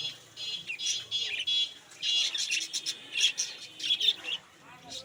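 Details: Many budgerigars at a bird market chattering in dense, bright high-pitched chirps and warbles, bursts following each other almost without pause, with faint voices beneath.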